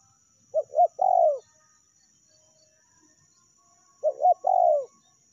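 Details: Lure call of a spotted dove, either its meratus rival-pressing style or melambung calling when quiet: a phrase of two brief hooting notes and a longer downslurred coo, repeated once after about three seconds, clean background.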